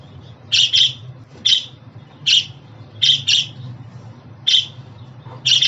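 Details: Budgerigar uttering paired, buzzy chirps roughly every second, each pair short and bright, with a low steady hum in the background.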